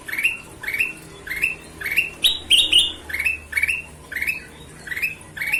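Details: Golden-vented bulbul singing energetically: a rapid chain of rising whistled notes, roughly two per second, with a brief louder, higher flourish midway.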